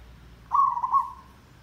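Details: Single zebra dove phrase from a trapping lure recording, a challenging, densely trilled song: a short, rippling coo with two louder pulses that tails off softly.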